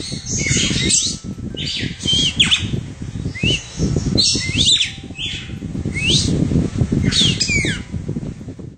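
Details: Red-cowled cardinal singing while perched on a person's hand: short, clear whistled phrases that sweep sharply up and down, given in bursts about every second, over steady low rumbling and rustling handling noise.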